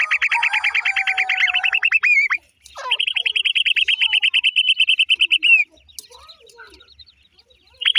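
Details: Black francolin chicks of the new season calling: fast runs of thin descending peeps, repeated about three times a second, several overlapping voices, pausing and restarting near the end.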